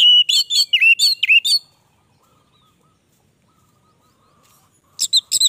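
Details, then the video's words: An orange-headed thrush opens with a quick phrase of repeated, wavering whistled notes, stays silent for several seconds, then gives a few sharp high notes in gacor style. "Anis merah gacor durasi panjang"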